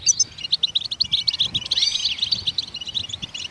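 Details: Goldfinch song, sung to stimulate other songbirds to sing: a rapid, bright twittering of short high chirps and buzzy notes, with a few sliding whistles near the middle and a faint low rumble underneath.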